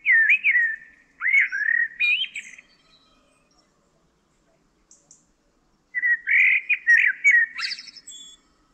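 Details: Common blackbird singing near Almonaster la Real in the Sierra de Aracena, Huelva, Spain: mellow fluting whistled phrases that rise and fall, followed by a pause and a second warbling phrase ending in a higher squeaky flourish.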